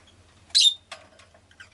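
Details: Rosy-faced lovebird producing a loud, harsh, high chirp that ends in a thin whistled tail, then soft rustles and faint scratchy sounds over a quiet low hum.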